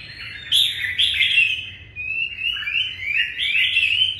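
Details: A red-whiskered bulbul, apparently a kept songbird, sings at the start of a new day: a run of bright, liquid warbled phrases rising and falling, with a few sharper chirps at the start; nothing else is heard.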